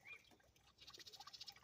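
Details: Female house wren in a flower and vegetable garden beside blooming peonies, feeding young, gives her alarm: a faint, dry chatter of fast high scratchy notes, about ten a second, apparently disturbed by a person; quiet background.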